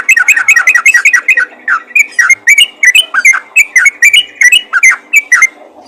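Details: Yellow-vented bulbul calling to other bulbuls with a busy, chattering sequence of short bubbly whistles in quick doublets and triplets, continuing almost without pause for six seconds.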